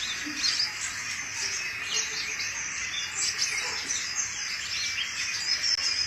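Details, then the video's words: Energetic sunbird song meant to lure other sunbirds or serve as a tutor recording: a steady stream of thin, high-pitched twittering and sharp chirps that barely breaks over the whole stretch. "BURUNG KOLIBRI GACOR!!"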